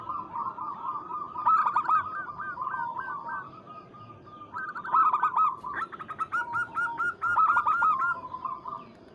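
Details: Zebra dove of local stock calling a rival: several overlapping streams of rapid cooing notes, loud hooked coos in bursts over a softer steady cooing chorus.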